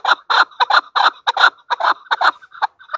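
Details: Loud, close chukar partridge, Pakistan's national bird, giving paired, hoarse chuck notes in quick uneven bursts over three seconds.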